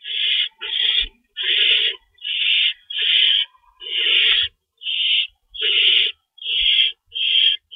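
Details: Nest owls at feeding time, 25 March 2012: a quick, fairly regular series of about eleven raspy screeches, more than one per second, over a quiet background.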